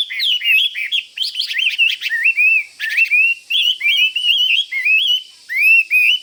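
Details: A caged Chinese hwamei in combative mood near a rival bird pours out continuous, richly varied warbling whistles, full of quick slides and trills, with barely any gaps.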